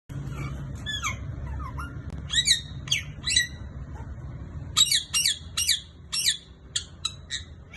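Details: A male green ringneck (rose-ringed) parakeet talking gives a run of short, shrill, squawky notes, some in quick clusters that may be mimicked words, over a low indoor hum.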